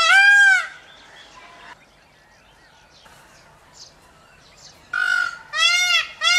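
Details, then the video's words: Peafowl giving loud, nasal, wailing calls: one at the start, then three in quick succession near the end, with faint birdsong in the quiet gap. "Peafowl bird peacock calls noise & sound"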